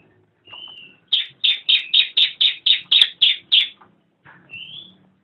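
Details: Cililin song for training songbirds: a high thin whistle, then about ten loud clipped notes repeated roughly four times a second, ending with another soft upslurred whistle.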